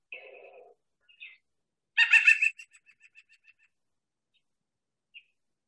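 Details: A White-breasted Nuthatch, recorded up north in Bel Air during a snowstorm while climbing head-first down a tree trunk, gives nasal, tinny calls: a loud harsh burst, then about seven short nasal notes that fade, with softer notes around them.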